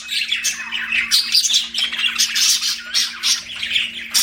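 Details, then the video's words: Pet budgerigars chirping indoors: a dense, continuous stream of harsh, squawky chatter and short scratchy notes, loud and busy throughout, with a steady low electrical hum beneath. "BUDGIE CHIRPING SOUNDS"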